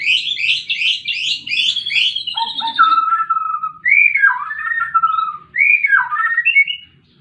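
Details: White-rumped shama in fighting mode: rapid series of high repeated chirping notes, then long descending whistles and slurred fluty phrases.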